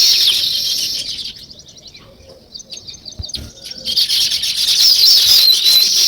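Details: Massed chirping of sparrows and weaver birds, a shrill bright chorus fading to sparse calls in the middle, then returning strongly with a few clear rising whistled notes.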